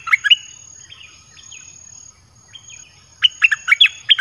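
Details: Red-whiskered bulbul, kept in a cage, sings to draw in wild birds; a short chirped phrase, quieter slurred whistles, then a brisk series of bright, bouncing notes.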